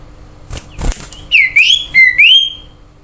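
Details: Common iora singing, used as a lure to prompt other birds to sing: four clear slurred whistles, rising and falling, delivered in quick succession after a couple of soft knocks.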